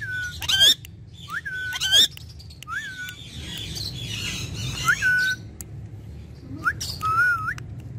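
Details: Caged ringneck parrot talking: clear, whistled, word-like phrases that bend up and down in pitch, several short utterances every second or so, over a low steady background hum.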